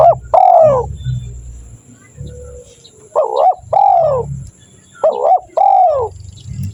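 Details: Spotted dove (tekukur) song used as a lure to provoke wild doves into answering: three paired, arched cooing phrases, a short note then a longer one, about every two seconds, over a faint low rumble.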